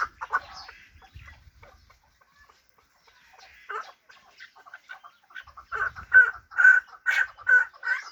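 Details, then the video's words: Hybrid fighting chukar partridge giving quiet scattered notes at first, then a loud run of harsh chuk notes repeated about twice a second in the second half; faint low thumps underneath. "Кабки Гибриди чанги"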